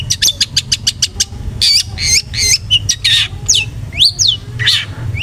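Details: Long-tailed shrike (cendet) song played as a lure to make a bird sing aggressively: quick series of sharp clicks, then loud harsh rasping squawks and upward-sweeping whistled notes, over low background hum.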